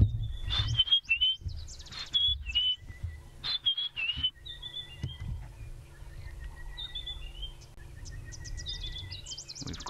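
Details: White-browed Scrub Robin in the Maasai Mara singing short, sweet whistled phrases with brief pauses, amid a busy dawn chorus including sunbirds, with a man talking quietly beneath.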